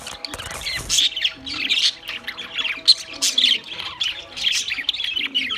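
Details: Loud, harsh squawks and chirps from Australian parrots in uneven bursts about every second, over a faint low steady hum.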